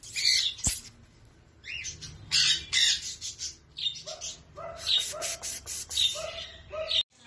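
A sun conure gives loud, harsh squawks and screechy chatter in quick, irregular bursts.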